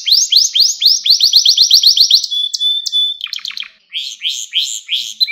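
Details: Canary song recorded for training young canaries: rapid repeated rising whistled notes about four per second, a steady high whistle, then a fast buzzy trill and more rising syllables.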